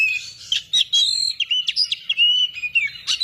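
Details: Female Oriental magpie-robin singing loudly in short, sharp phrases: clear whistles, quick upward and downward slurs, and scratchy chirps in rapid succession, with a faint low rumble underneath.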